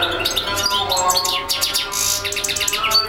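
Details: European goldfinch singing continuously: dense, rapid twittering of high chirps and short trills, with steady lower tonal sounds underneath throughout.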